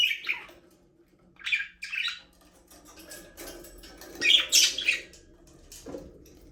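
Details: Budgies in a small aviary give scratchy squawking chirps in irregular clusters, loudest around the middle, over a quiet low background hum.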